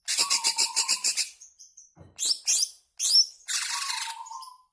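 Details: Greater green leafbird in long 'ngebren' song style, used as a lure to set caged leafbirds singing: a fast run of about ten loud, sharp, high chirps, then a thin steady low whistle, and later harsh scratchy bursts and a trailing whistle.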